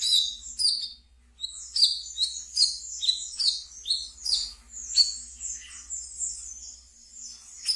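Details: Brown-throated sunbird kept as a pet, singing the ngeriwik style used as a lure for untrained birds: a fast, tumbling run of high twittering notes that flows into a continuous shrill warble.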